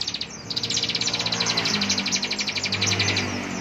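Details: Ciblek or bar-winged prinia performing ngebren song: a rapid high buzzing trill of evenly spaced pulses over about three seconds, with a faint low background hum.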